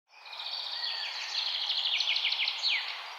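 A songbird sings a fast, high run of thin twittering notes that ends in a few quick downward-slurred chirps, over a steady hiss of background noise.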